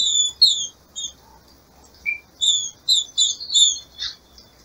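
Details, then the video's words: Caged breeding-season female green-winged saltator stirring up the male: rapid, high whistled notes, many paired and downslurred, in bursts about twice a second, with one lower short note and a faint click. "SEU TRINCA FERRO VAI CANTAR MUITO EM 10MINUTOS"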